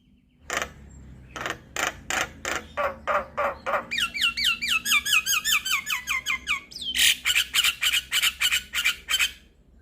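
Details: Javan myna singing, a lure and tutor recording for mynas. A long series of sharp rasping notes, then a rapid descending string of looping whistles, ending in loud harsh chatter.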